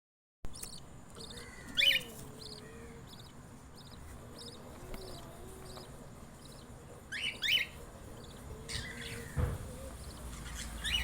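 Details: Newborn budgerigar chicks give harsh, raspy squawks and quick high chirps as they beg while the adults feed them.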